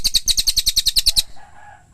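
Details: Cililin singing: a fast, dry trill of about twelve sharp high chirps in just over a second, evenly spaced, then stopping, leaving faint background hum.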